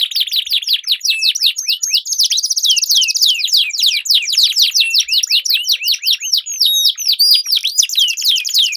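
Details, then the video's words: Canaries in a singing duel, long roll style for training stalled birds: continuous dense stream of high swept whistles and buzzy trills, overlapping voices throughout. "Duel Burung Kenari Suara Merdu Ngerol Panjang || Pancingan Ampuh Kenari Macet Gacor Ngerol Panjang"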